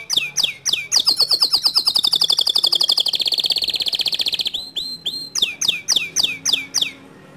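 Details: White male canary delivering long standard song, a few sharp downslurred notes, then an extended rapid rolling trill lasting over three seconds, followed by more spaced downswept whistles.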